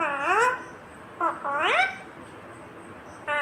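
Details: Talking green ringneck parrot gives clipped voice-like syllables, one swooping down then rising, a short pair of quick notes, then a longer upward-gliding phrase, ending with a brief flat note after a quiet gap.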